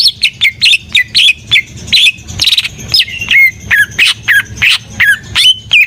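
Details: Cucak ijo (greater green leafbird) in vigorous full song: a steady chain of bright, bent whistled notes about three per second, alternately dipping and rising, with faint low background hum.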